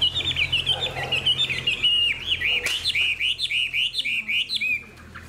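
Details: Fan-tailed caged hwamei with a fine voice delivering a rapid series of bright, bouncing whistled notes, each a quick up-and-down slur, repeated almost twice a second before fading out.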